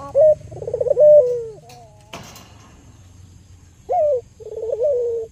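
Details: Cage-kept albino local Barbary dove used as a lure for other doves: a sharp rising note and a trilled coo fading into a long falling tone, a brief clatter, then silence before another bright note and rolling coo.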